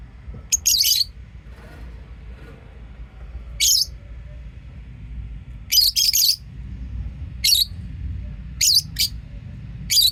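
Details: Lovebirds chirping: short, harsh, high chirps come in brief bursts every one to two seconds over a steady low hum.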